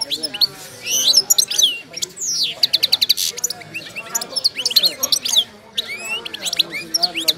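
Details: Wild-type Moroccan goldfinch of the wydani kind, in moult, delivering energetic song. Fast metallic trills of evenly spaced notes alternate with twittering chirps and rising whistled slurs, with only short pauses.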